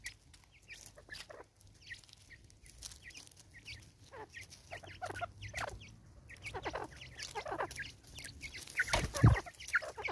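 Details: Female Natal spurfowl in South Africa, 2024, angrily repeating rough cackling notes that grow louder toward the end, with a final loud harsh burst.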